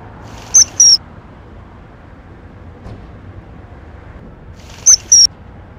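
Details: Feeding chicks, a Common kingfisher (Alcedo atthis) gives two paired bursts of shrill high whistles, each pair of short piercing notes, separated by about four seconds of quiet with soft low background noise.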